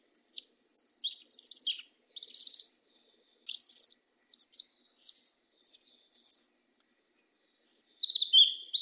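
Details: Yellow-legged thrush in mateiro do sul song: high trilled clusters, then a series of evenly spaced sharp double chirps, a pause, and a final warbled phrase.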